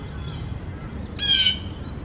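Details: Common starling at a nest box holding four young, 4 May 2019, with parents flying in and out, gives a single harsh, grating squawk lasting about a third of a second over a steady low outdoor rumble.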